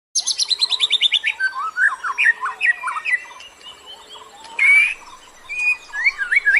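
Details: Bird lure song used to attract other birds: a rapid descending series of sharp trilled notes, then varied whistled phrases with rising and falling slurs and a harsh burst near the middle.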